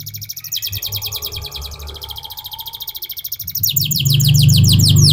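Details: Canary delivering a long rolling 'ngerol' song of fast repeated trilled notes that shift into a coarser, louder phrase near the end, accompanied by a strong low hum in the background.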